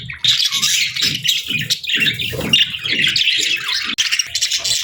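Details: Relaxed pet budgies warble in a bright, raspy stream of chirps and squeaks, with low soft thumps recurring about every half second beneath them.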